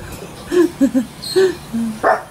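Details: Pet cockatoo indoors on January 30, 2013, copying a dog's bark: a quick series of short, pitched 'woof' notes, then a louder, harsher final bark, all fairly low and clipped.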